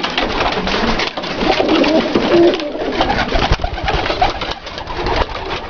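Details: Dalıcı (diving) pigeons in a loft; a clear run of low rolling coos around the middle, surrounded by continuous scratching, fluttering and knocking noise from the flock.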